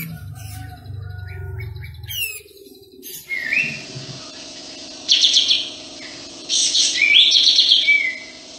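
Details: Energetic Sooty-headed bulbul with tail spread: brief descending whistles and twittering notes, then loud, fast bubbly bursts and a ringing rising phrase, over a steady low hum.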